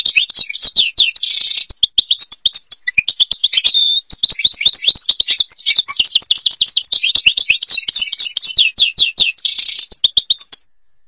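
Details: European goldfinch from Algeria singing the song named Babas forest, Tiberli: a fast, unbroken run of liquid twittering notes and trills, with two short buzzy, harsh bursts and rapid sliding chirps throughout.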